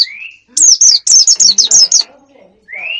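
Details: Wild bird lure sound: a rising whistled slur, then a rapid series of about eight sharp, high falling chirps, ending with another rising whistle.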